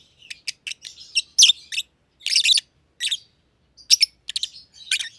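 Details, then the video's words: Two pet masked lovebirds in an aviary, a young green personata and an older green pied personata, chirping. Scattered, softer high chirps and twittering notes in loose groups. "Lovebird Chirping Sounds"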